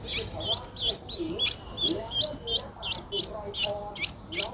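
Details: Rapid high squeaking notes, roughly three each second, from a ten-day-old Streak-eared Bulbul chick in Ubon Ratchathani, Thailand, on 12 April 2023, with faint lower rustling beneath.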